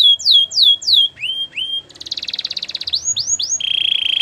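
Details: Gloster canary song made of bold upslurred whistles, then a fast buzzing trill, more rising sweeps, and a closing sustained rolling tone.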